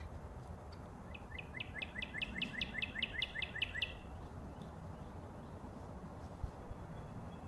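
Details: Northern cardinal singing a single rapid series of about a dozen short sharp chip-like notes, sliding downward and speeding up over three seconds, heard against steady low background noise.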